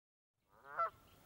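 A Canada goose gives a single loud, nasal honk that swells and breaks off sharply.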